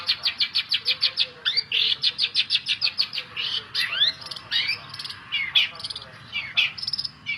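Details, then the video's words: Long-tailed shrike song played as a lure to get a reluctant bird to sing: a fast run of sharp, evenly repeated chattering notes, then varied rising whistles and scratchy phrases in quick succession. "pancingan cendet malas bunyi"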